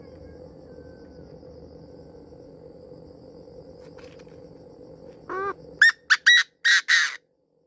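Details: Lure call of a Chinese francolin: after several seconds of low background hum, a series of loud, grating notes, a wavering opener and then four punchy repeated bursts in quick succession.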